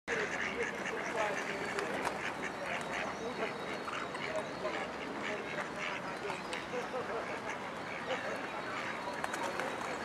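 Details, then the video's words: A female Mallard in an urban park in Amsterdam, Netherlands, on 3 April 2011 gives harsh, nasal quacks among a dense chatter of other ducks, with faint human voices in the background. "park duck (female)"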